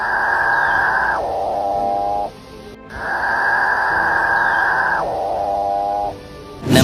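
Capuchinbird giving its strange lowing moan twice: a long, steady, grating drone about a second long that slides down into a deeper groan, like a distant cow.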